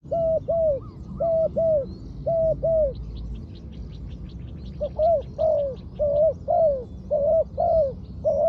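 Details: Trained spotted dove used as a ground decoy for luring wild doves, giving deep, mellow cooing: paired hollow coo notes repeated about once a second in steady phrases, with faint higher chirps from other birds behind.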